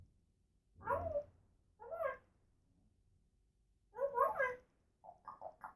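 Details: Indoor pet African grey parrot, female, talking: four bursts of speech-like chattering with rough, throaty syllables spaced about a second apart, ending in quick clipped mutters.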